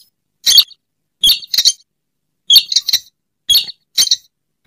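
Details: Slaty-breasted rail lure recording: short, harsh, squeaky bursts in pairs and triplets, repeated about every second with silent gaps between groups.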